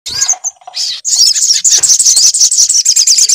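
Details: Sunbird song used as a lure to get a bird to sing: a few scattered high chirps, then from one second a dense, rapid, very high-pitched twittering run of quick sweeping notes that continues to the end.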